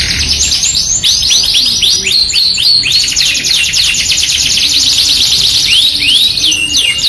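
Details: Energetic Yorkshire canary song for luring canaries, mixed with an AF canary with luxurious cengkok: rapid repeated downward sweeps forming high trills, about three to four per second, unbroken for the whole stretch.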